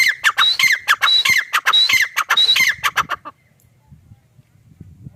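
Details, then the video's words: Rhythmic grey francolin (teetar) calling for three seconds: loud, ringing phrases built from a high whistle falling to grating lower notes, repeated briskly before the bird stops and only faint background murmur remains. "Teetar ki awaaz // teetar sound // gray partridge sound"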